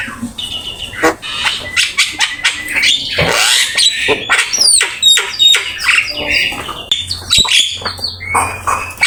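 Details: Black-winged myna master song used for training: a busy stream of squawks, rasping bursts and sharp upward whistles, with clicks and a low hum in the background.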